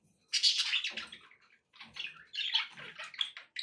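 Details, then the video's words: Budgerigars warbling, sounds to encourage a pet parrot to eat and sing: two bursts of harsh, buzzy chattering song with squeaky notes and a short quiet gap between. "budgie sounds to encourage your parrot to eat and sing"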